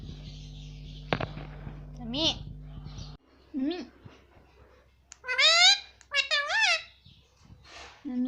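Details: Indian ringneck parakeet kept as a pet, saying "mummy" indoors: clusters of loud arched harmonic syllables in quick succession, with a sharp knock early on and a steady hum that cuts out partway through.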